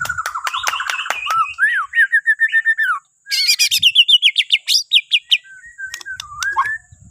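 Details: White-rumped shama of Borneo singing as a morning prompt for other birds: fast repeated clicking notes over a whistled line, a brief gap, then a rapid series of bright descending whistles and soft slurred ending notes.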